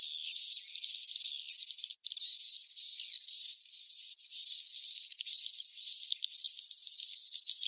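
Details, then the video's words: Roosting lure sound of swiftlets for nest-house farming: dense, bright high-pitched chirping and twittering with short rising and falling notes, running almost without pause and one clear break near the start. "Suara Tidur"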